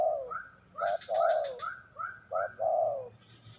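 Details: Spotted dove cooing: a phrase of short, soft hooting notes leading into long, drawn-out, slightly falling coos, repeated twice, with faint higher chirps above.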